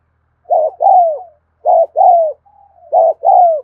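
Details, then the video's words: Afternoon recording of a spotted dove giving repeated two-part coos: a short, soft, muffled note, then a drawn-out, gently falling coo, three phrases in a row with short silences between. "tiếng cu thúc gù hay và liên tục"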